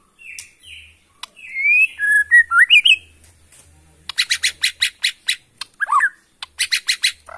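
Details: Wild-origin Bornean white-rumped shama from Kalimantan delivering rising, slurred whistles followed by bursts of rapid, harsh chattering notes, with short pauses between phrases.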